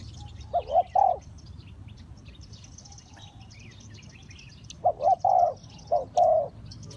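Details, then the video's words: Decoy spotted dove calling to draw wild birds into a trap: two bursts of soft, hollow paired coos, a brief note followed by a drawn-out croon, separated by a pause, with thin high chirps from other birds behind. "Cu gáy Ninh Thuận"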